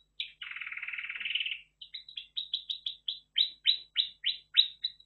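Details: Red factor canary singing a buzzy rolling trill followed by a series of separate sharp descending chirped notes repeated about three times per second.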